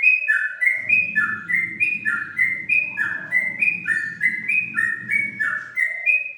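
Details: Unique ngingklong song of the yellow-vented bulbul, known locally as trucuk. Repeated whistled couplets slide downward, then jump back up in an unbroken rhythm, over a persistent low droning hum.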